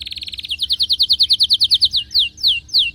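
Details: Excited canary song opens with a fine rapid trill, moves into a steady string of clear chirps about ten per second, then slows into three long downward-sweeping whistles.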